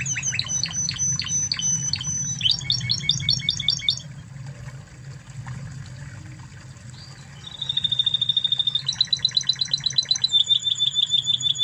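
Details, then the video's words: Master song of a Spanish Timbrado canary from Spain: sharp downward notes repeated, a dense high rattle, a quiet pause with scattered chips, then a long loud pulsed trill and a high thin ending note. "Masteran Kenari Spanish Timbrado Ori Spanyol"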